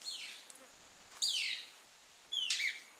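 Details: Lekking male manakin (saltarín barbiamarillo) of the western cordillera calling to attract females. Three high, slurred notes that sweep sharply downward, spaced roughly a second apart, over a faint hiss.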